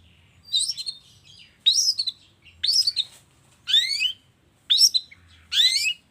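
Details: Long-tailed shrike lure sound, played in the morning to prompt shrikes to sing: harsh, scratchy rising phrases repeated about once a second, with some notes sweeping steeply upward.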